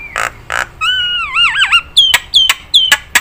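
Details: Singing Nias hill myna, recorded as a teaching track for songbirds: two harsh nasal notes, a long wavering whistle that rises and falls, then four sharp piercing downslurred calls.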